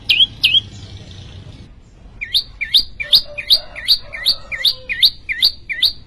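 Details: Vigorous song of a prenjak lumut prinia: two quick rising chirps, a brief pause, then a long evenly spaced series of bright, up-slurred notes at about three per second, with a soft low hum beneath.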